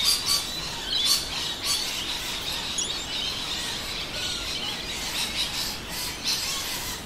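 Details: Rainbow lorikeets, many together, call at winter midday in a suburb of Adelaide, South Australia, alongside noisy miners; dense high shrieks and chattering squawks blur into a continuous bright wash, with sharper screeches at the opening.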